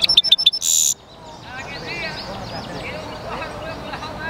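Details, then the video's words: Short burst of European goldfinch mule song, a few high clipped notes and a rasping buzz, then fading into soft twittering of other birds. "European Goldfinch mule singing"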